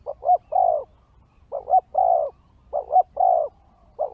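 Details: Spotted dove lure recording for attracting wild birds: a quick double coo followed by a longer hollow coo, the phrase repeated three times and starting again at the end.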